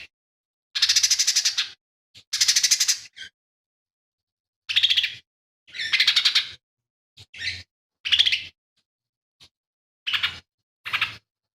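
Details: Lesser green leafbird in active song, loaded with mimicked material including house sparrow fight calls, long-tailed shrike and cililin: bursts of harsh, rapidly pulsed chattering, each one to two seconds, separated by short silences.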